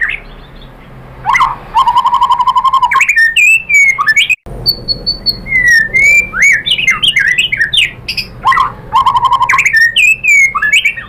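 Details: White-rumped shama lure song to provoke another shama into singing and unloading its repertoire. Loud, rapid, rolling trills mix with varied whistles and sharp upslurs, and one brief break interrupts the song.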